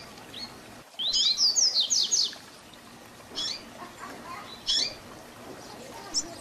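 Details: Double-collared seedeater singing the Tui Tui Zel Zel style, used to teach young birds: a fast burst of about six bright slurred whistles, then scattered single high sharp notes over a quiet background.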